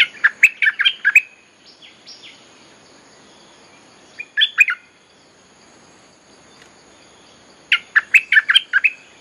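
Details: Bulbul calls used as a training song for young birds and a lure for wild birds: three bursts of quick, bubbly, chattering notes, each about a second long and a few seconds apart, with soft whistles between.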